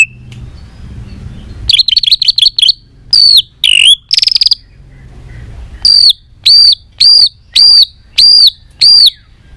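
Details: Song of a white-rumped shama for prompting shamas to sing: a quiet start, bursts of rapid high buzzy notes and sharp swoops, then six evenly spaced high looping whistled notes about one every half second.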